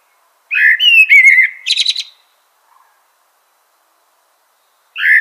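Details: One full common blackbird phrase: a rich, wobbling whistled warble that ends in a rapid, high, rattling twitter. A long pause follows, then the next phrase begins.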